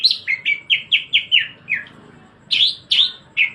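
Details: In 'gacor ngebren' style, a greater green leafbird sings a fast run of about eight short whistled slurs, each dropping in pitch, then a brief pause before louder, higher, buzzier notes resume.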